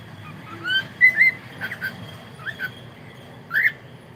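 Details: Cockatiel singing in the morning: scattered short whistled notes near the upper-middle range, some rising and slurred, in brief bursts with gaps, over a low steady background hum.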